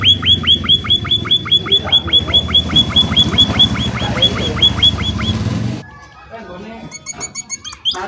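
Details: A munia gives a fast, regular string of sharp, high chirps meant to lure other munias into answering. A low rumbling hum sits underneath, then the sound quiets and a few scattered chirps follow.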